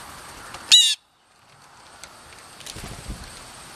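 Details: Blue jays getting cheeky at lunch; a blue jay (Cyanocitta cristata) gives one short, harsh, raspy jeer that cuts off abruptly, followed by quiet outdoor background hiss.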